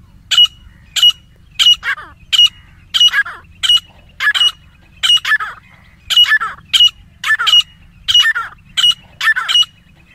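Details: Grey francolin pair calling: loud harsh notes, each with a bright tonal edge, repeated in a steady rhythm of about two bursts every second or so across ten seconds. The overlapping phrases suggest two birds alternating.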